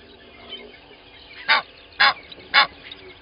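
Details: Egyptian goose pair at Gowrie dam waterhole, Djuma Game Reserve, Sabi Sand, South Africa, at 05:32 on 12/01/20, caught by a fixed live waterhole camera: three loud, harsh, broadband honks about half a second apart over a quiet background.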